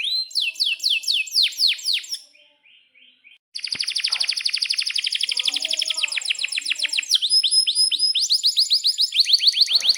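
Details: Energetic Atlantic canary song meant to tutor young canaries and prompt silent ones to sing. Fast repeated downswept chirps, a brief soft pause, then dense rolling trills and rapid upswept notes continue to the end.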